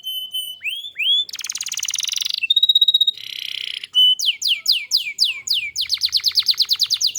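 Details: Canary song used to prompt other canaries to sing: loud, varied phrases of rising slurred whistles, buzzy rolling trills, a steady pure tone, and rapid repeated downslurred chips.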